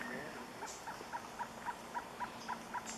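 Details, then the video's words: Surucua trogon singing a fast run of short hooting notes, about four per second, evenly spaced, with a faint higher overtone on each note and soft background hiss. "surucua variado"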